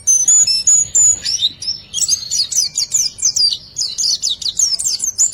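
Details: A white-eye's 'riwikan' song, played to lure silent birds into singing, opens with pure high whistles, then breaks into quick repeated downward chirps several per second.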